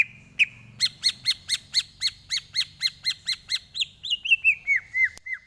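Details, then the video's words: Greater green leafbird tutor song for training: about twenty quick ringing notes repeated at an even pace, gradually sliding into lower, drooping whistled slurs at the close. "Lagunya Masuk ini Bos, Enak buat masteran"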